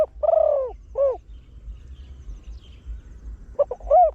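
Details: Trained spotted dove with a big, deep voice, singing the frequent 'khan yon 1 kuk' style used to lure wild birds: two hooting coos open the clip, the first long and falling. After a quiet gap, a short double note and another drawn coo follow.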